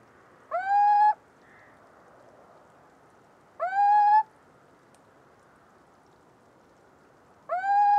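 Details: Little owl song: three drawn-out, mewing notes that swing up and then hold level, each about half a second, spaced roughly three seconds apart over a soft background hiss.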